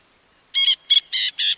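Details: Francolin of grassy open woodland voicing a short series of cackling notes: four loud, harsh, rasping high notes in quick succession, the last two longer and steadier, on a quiet background.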